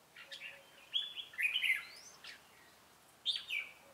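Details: Red-whiskered bulbul used as a trapping call bird, Ché song style, recorded 25 June 2018: short bright warbled phrases, rising and falling, with pauses between bursts and a quiet background hiss.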